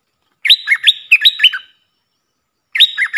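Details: Puff-throated bulbul decoy recording used to train young hand-reared birds: two bright, bubbly phrases of sharp rising and falling whistled notes, a pause, then a third phrase begins. No other sounds.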